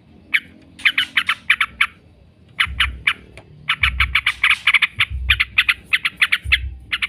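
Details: Long 'ngekek' chatter of a yellow-vented bulbul, a lure for training birds: dense clusters of harsh, rapid notes after a short quiet start, with occasional low thuds beneath.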